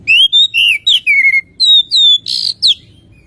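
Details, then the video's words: Oriental magpie-robin song played to make birds sing sooner: a sequence of clear whistled notes, rising then falling, with a brief harsh note near the end and a final sliding whistle. "pancingan suara burung Kacer biar cepat berbunyi"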